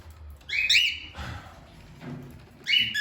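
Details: Two pet cockatiels playing with a toy tractor; one gives loud, harsh rising screeches in two bursts separated by quieter rustling.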